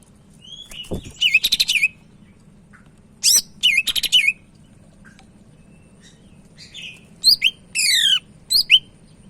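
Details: Sumatran leafbird from Medan singing briskly, used as a tutor bird: rapid buzzy trill bursts with looping notes, then rising chips and a descending whistled series, over a faint low hum.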